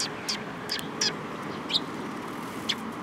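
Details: Sparrows coming to be fed at Mizukami Bridge on 18 May 2021 give five or six separate sharp chirps spaced irregularly across three seconds, against low background noise.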